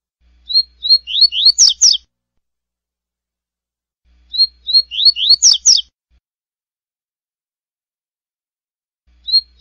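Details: Double-collared seedeater in the classic tui-tui song style: a clear phrase of several rising whistled notes that quicken into sharp, tumbling slurred notes, repeated about every four seconds in silence.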